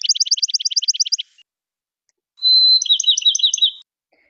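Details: Male Bachman's Sparrow, a species whose males have about fifty song types, sings two different songs: a fast run of about thirteen buzzy high notes, then a long pure whistle that breaks into a quick jumbled trill.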